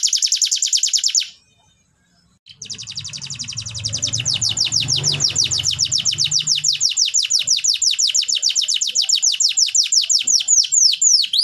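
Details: Canary song used as tutor recording to stimulate birds that have stopped singing: long, rapid, high-pitched trills of evenly repeated sharp notes, a brief silence after the first trill, and a low rumble beneath the song for a few seconds.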